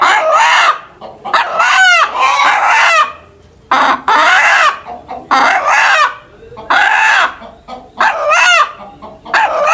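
Chickens give loud, harsh squawking calls in bursts, with rising and falling harmonic notes.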